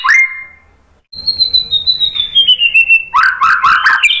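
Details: White-rumped shama lure song, sung to draw a reply from other birds: a short bright note, then a long clear whistle falling slowly, ending in loud, choppy, varied warbling phrases.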